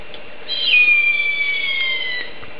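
A single long, thin whistled wail from a Harpy eagle: it drops sharply at the start, then slides slowly lower for over a second before fading, over faint background hiss.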